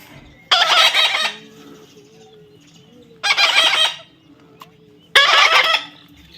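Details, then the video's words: Harsh, raspy baby parrot calls: three loud grating squawks, each about half a second to a second long, spaced roughly two seconds apart over low background hum. "natural funny parrot sound"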